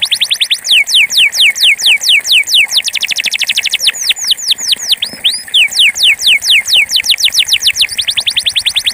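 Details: Pure campainha Belgian canary in full song, pouring out fast repeated downward-sweeping whistles, some tours quicker and tighter, with a few looping rising notes midway; faint low rhythmic ticking underneath.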